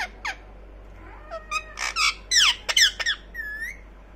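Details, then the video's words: Pet ring-necked parakeet, kept as a talking parrot, letting out a run of short squawks and squeaky harmonic notes, several bending up and down, loudest around the middle, then a drawn-out upward-curving whistled note; steady low room hum beneath. "talking parrot #ringneck#parrot voice"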